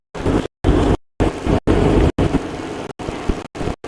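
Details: A loud vehicle engine rumbles in short choppy bursts broken by abrupt silences, with no animal voices heard.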